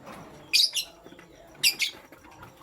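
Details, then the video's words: Morning chirping from pastel gray and green lovebirds kept indoors; two short groups of shrill, high squeaky chirps, each a double note, about a second apart. "Pastel Gray LoveBird Chirping Sound"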